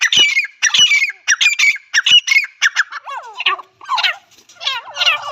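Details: Partridge (teetar) calling continuously: sharp, harsh squawks in quick pairs and triplets, shifting midway to lower, more nasal, wavering notes.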